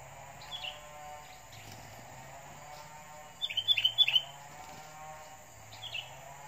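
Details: Captive decoy sooty-headed bulbul reacting while fighting a wild sooty-headed bulbul: a quick burst of about six bright, chirpy notes, with single chirps before and after, over a steady high insect-like hum.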